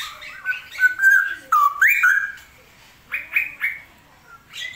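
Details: Straw-headed bulbul singing while heavy rains continue. Bold, mellow whistles glide and warble, then come three quick rising notes after a short pause.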